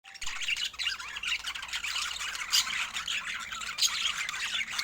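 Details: Budgerigars filmed in natural Scandinavian light, chirping with joy over fresh food: dense, continuous flock chatter of scratchy warbles and squawks, overlapping busy twittering with occasional sharper clicks, no music or voices.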